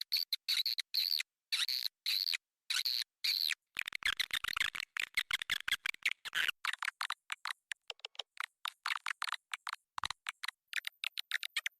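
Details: Swiftlet lure call played to attract swiftlets to a nest building: rapid chirping twitters with buzzy, clicking bursts, first in separate pulses about every half second, then dense fast clicks and scattered sharp ticks.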